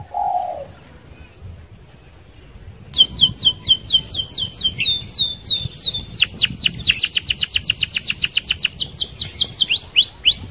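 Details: Canary singing a fast rolling song to lure other canaries: after a quiet opening, varied whistled sweeps build into rapid trilled rolls and bright repeated notes.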